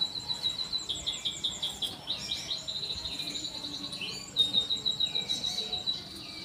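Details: Canary song of rapid repeated chirps and rolling trills, pausing briefly then resuming with fast sweeping notes over light background hiss.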